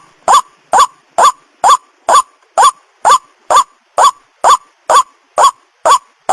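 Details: White-breasted waterhen lure call, used in Indonesia to draw male and female waterhens in close: loud, harsh, croaking notes of equal strength, repeated steadily about twice a second, about fourteen in a row, with no other sounds.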